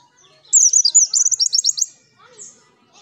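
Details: A single high, rapid twittering phrase from a wild white-eye (pleci) used as a lure, about a second and a half of quick slurred notes, then a faint thin whistle.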